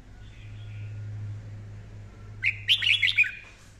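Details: Red-whiskered bulbul in daily voice training, singing hard: after a quiet stretch with a low electrical hum, one short burst of rapid, bright, warbling whistled notes.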